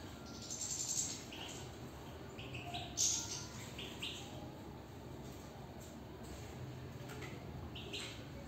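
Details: European goldfinch singing inside a cage: short bright chirps and twitters scattered through the passage, one louder high note near the middle, over steady low background hum and faint voices.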